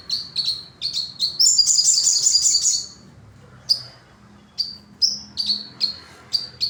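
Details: Sogon delivering evenly spaced sharp high tweets, swelling into a dense, continuous squeaky twitter, then falling silent before resuming with single clipped chirps at irregular intervals.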